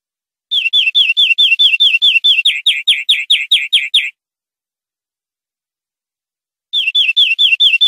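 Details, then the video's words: European greenfinch tutor song, clean recording for training caged birds: a long rolling phrase of roughly eighteen quick hooked notes over three and a half seconds, followed after a pause by another similar phrase; nothing else audible. "Nuevo CD limpio para educar verderones 2020/2021"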